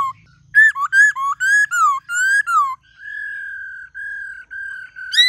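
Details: Many-voiced white-cheeked laughingthrush song: a string of loud looping whistles rising and falling, then several long, even whistled tones, ending with a sharp upward note.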